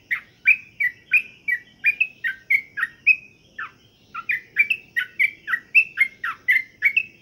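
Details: Sooty-headed bulbul (trucukan) given pengembunan, dew-exposure keeping to encourage frequent singing: quick bubbly slurred phrases repeated rapidly, a brief half-second break near the middle, then the lively chatter resumes, soft low rumble beneath.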